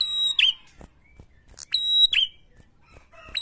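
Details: Prinia lure call meant to rile other prinias: two loud, clear whistled notes, each with a short bending twangy end, separated by a pause, with faint clicks between.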